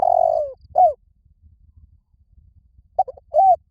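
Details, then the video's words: Spotted dove cooing to draw other doves closer: the end of a long rolled note and a falling coo, a gap of about two seconds, then short stuttered notes and an arched coo begin a new phrase. "Tiếng chim cu gáy kích mồi gáy gọi bổi nhanh về cội"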